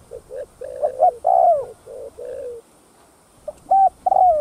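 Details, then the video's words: Spotted dove cooing in thúc gù style to rouse other doves: a quick string of low coos building to a long falling coo, a brief silence, then a short note and another falling coo. "Tiếng Cu Gáy Giọng Hấp Dẫn[ ĐỦ BÀI THÚC GÙ ĐỈNH CAO 02] Kích Bổi Nhanh Nổi"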